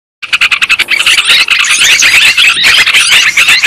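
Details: Yellow-vented bulbuls in a long lure recording used to attract birds for trapping. Many birds chatter at once, a dense, continuous stream of sharp, bubbly, overlapping notes that starts after a brief silence, with no other clear sounds.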